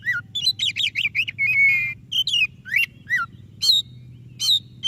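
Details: Rich white-rumped shama song for prompting a quiet bird: fast rising-and-falling whistles, a held level note, and sharp upslurred phrases spaced through the recording, with a low background hum.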